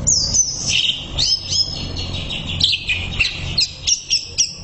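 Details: A greater green leafbird delivers a dense burst of high, bright whistles and quick chirps, notes sliding down and then repeating in short clusters near the end, over faint low noise.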